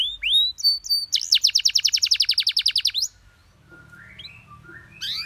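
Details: Canary master song for teaching other birds: rising whistled notes leading into a long, fast, even trill of about eight notes per second, then quieter distant chirps with a low hum.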